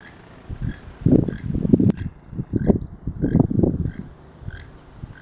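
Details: A pair of keel-billed toucans calling back and forth on the last day of the year: low, rattling, frog-like croaks in quick bursts of several notes, with faint high insect chirps repeating in the background.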